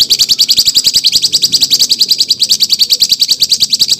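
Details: Songbird master recording for training contest birds, rough rolling material: a steady, rapid run of sharp high chirps, roughly three or four per second, continuing unbroken throughout.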